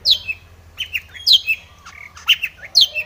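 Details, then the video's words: Long-tailed shrike singing a full, varied song, meant to provoke other shrikes to sing: shrill downslurred whistles alternate with lower scratchy and warbled notes in an irregular, rapid sequence over a soft low hum. "cendet gacor BIRAHI full isian ini MANJUR pancingan cendet agar bunyi"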